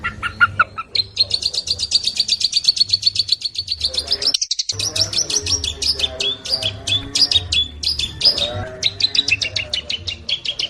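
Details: Fast long-tailed shrike song for bird training: a long, dense, high trill breaks into rapid, varied chattering phrases and sharp repeated notes, over a constant low background hum.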